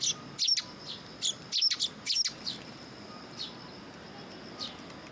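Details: Sparrows arriving early in the morning to be fed at a shrine, recorded 18 September 2022 in Japan: short high chirps in bursts through the first half, then scattered single chirps, over faint steady background hiss.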